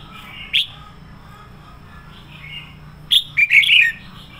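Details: Red-whiskered bulbul lure song for training other bulbuls to sing: a single sharp note, then after a pause a quick burst of four or five bright, warbled notes over a faint low hum.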